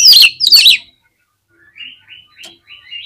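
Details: Caged oriental magpie-robin (kacer) singing agitated song to provoke other birds: two loud harsh, scratchy bursts, then after a pause a run of soft short whistled slurs repeated about every third of a second.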